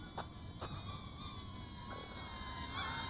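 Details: Steady electric motor whine with shifting tones, a few sharp clicks and low background rumble; no animal sound.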